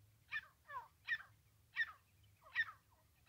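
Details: Francolin (teetar) calling for use in trapping: five short, harsh, slightly descending notes, each delivered about every 0.7 seconds, with a low steady hum underneath.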